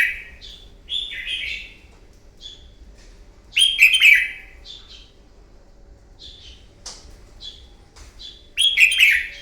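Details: Red-whiskered bulbul fighting song played in the morning to train a bird to sing competitively: loud, warbling whistled phrases sweeping down, repeated in bursts about every three seconds, with softer short chirps between them.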